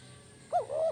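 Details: Spotted dove of kuk 1 lure type gives one quick coo phrase: a short arched note and then a level, drawn-out coo, over faint low hum.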